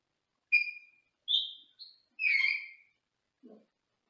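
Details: Pet Senegal parrot in a small cage in another room: four separate chirps and whistles, the last one longer and harsher, then a short low sound, with quiet in between.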